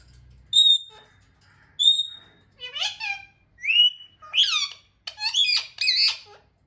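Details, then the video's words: Pet talking parrots: two short, clear whistled notes, then a run of loud chattering bursts, harsh squawks sliding up and down, close and clear. "Funny and cute talking parrots natural sounds"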